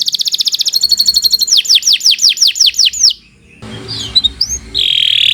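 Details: Canary in extended training song: a fast trill, then a row of loud downslurred whistles about three per second, a short gap, scattered notes and a buzzy sustained tone.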